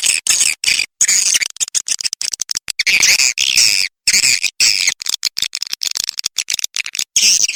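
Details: Lure recording of swiftlets: high, raspy twittering with sweeping chirps, delivered in a chopped stream of short bursts and quick pauses throughout.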